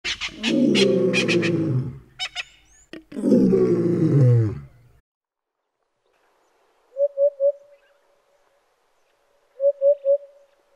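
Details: African hoopoe in Kruger Park, South Africa: two soft, low hooted phrases of three quick notes, hoop-hoop-hoop, about two and a half seconds apart, following loud harsh drawn-out animal vocalizations and clicks at the start.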